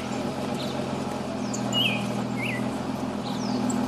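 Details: Pale-breasted thrush in a city: two short whistled phrases, the second a falling slur, with a few faint high notes from other birds over a steady low engine drone.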